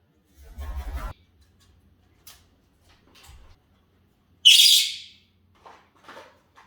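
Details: Pet Senegal parrot at dinner indoors: one loud, harsh, high screech of about half a second, preceded by a low thump and faint clicks, with a few soft chirps afterward in a quiet room.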